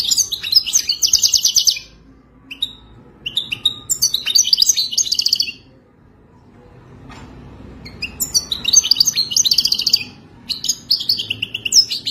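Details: Wadani-style song of a European goldfinch: repeated phrases of rapid, metallic twittering and trills, separated by pauses of one to two seconds.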